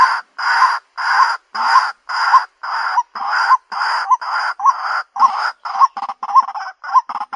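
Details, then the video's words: White-breasted waterhen lure call: a series of harsh, loud croaking notes repeated about once a second. Later notes become shorter and end with a hooked, rising inflection. "SUARA PIKAT BURUNG RUAK-RUAK"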